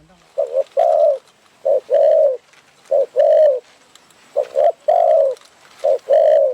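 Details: Spotted doves during decoy trapping in Phrae, Thailand, coming in to fight the decoy; rhythmic low coos, a short double note followed by a longer rolling one, repeated about every second and a half.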